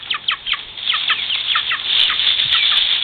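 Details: Frightened farm chicks give repeated shrill peeps that drop sharply in pitch, about two or three a second, growing into a dense continuous chorus of cheeping.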